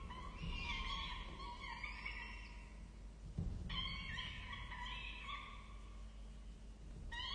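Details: Peregrine falcon chicks being fed at a nest on the Charles Sturt University campus in Orange, Australia, 23 October 2023; harsh, screechy harmonic begging calls in two long bouts, with a steady low hum underneath.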